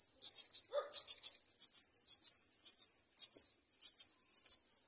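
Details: Fed by its mother, a young common myna keeps up a rhythm of short, scratchy, hissing begging bursts, roughly two each second, with one brief lower croak near the start.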